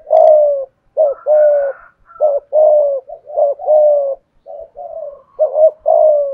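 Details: Mellow repeated coos of a spotted dove kept as a decoy, in the 'giọng thổ' style, a short note and a drawn-out coo in close succession, overlapped now and then by a fainter higher call.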